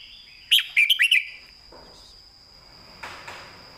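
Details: Southern-style master song from a caged red-whiskered bulbul, sung clearly as a training model: one fast phrase of five bubbly, whistled notes, a steady high faint hum behind it, and soft rustles afterward.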